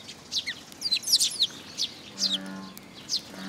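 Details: Eurasian tree sparrows gathering to feed at a post at a Tenmangu shrine, 26 June 2022; sharp high chirps in a busy cluster, then a brief low droning tone underneath toward the end.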